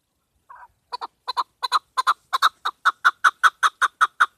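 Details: Hunting call of a female chukar: after a short soft note, crisp chuck notes build in loudness, starting in pairs and settling into a regular rapid series.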